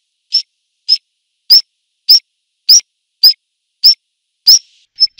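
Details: A black redstart gives single short high call notes, about one every half second, clean and evenly spaced.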